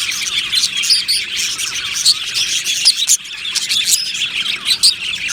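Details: Happy budgies chirping in a colony aviary. Rapid, squeaky twitters and warbling notes overlap nonstop, with occasional clearer whistled chirps rising above the crowd every second or two.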